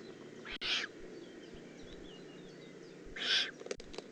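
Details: Young Eurasian eagle-owl, Eifel, June 18 2016: a pair of breathy, rasping hisses roughly two and a half seconds apart, with a sharp click near the first and light ticking after the second.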